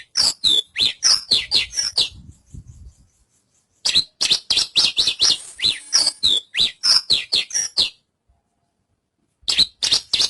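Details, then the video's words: Rapid, loud series of high chirps and whistled slurs from a Javan bush lark, delivered in long runs of about four notes per second, broken by short silences. "Suara Burung Branjangan"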